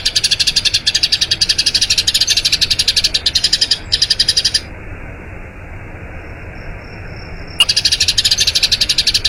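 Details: Eurasian tree sparrow's long rolling song, used to train other birds: rapid high chirping for about four seconds, then a quiet spell of roughly three seconds with a faint thin tone, before the fast chirping resumes.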